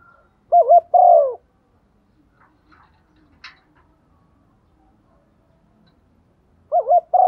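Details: Female decoy spotted dove calling in the morning to draw males: a rolling double coo and a longer falling coo, then several seconds of quiet with faint clicks before the next phrase starts.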